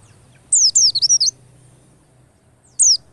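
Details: Lure for getting white-eyes to sing fast: a rapid chattering run of about five high, wavering downslurred notes, then a single sharp whistle after a pause, over a low steady hum.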